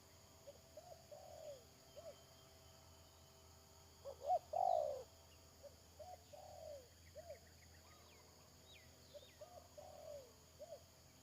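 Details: Spotted dove used as a trapping decoy, recorded around 31 May 2022 during a lure session. It gives low, hollow cooing phrases. Soft coos are repeated throughout, with a loud, drawn-out coo at the middle. Faint high chirps sound in the background.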